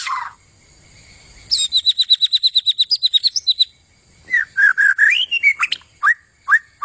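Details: White-rumped shama singing energetically in 'gacor' style. One low whistle, then a fast train of high, sharp repeated notes, followed by mellow, fluty, rising and falling whistled phrases.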